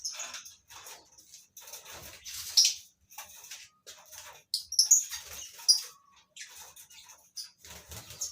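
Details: Captive colony of breeding lovebirds: thin, piercing chirps and short squeaks scattered irregularly over several seconds, some louder sharp notes standing out from a steady high twittering.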